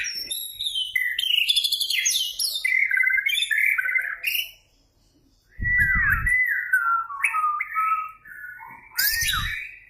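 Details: White-rumped shama used as a lure song: varied loud whistled phrases, rising and falling slurs and rapid high twittering, with a gap of silence midway and low thumps beneath some phrases.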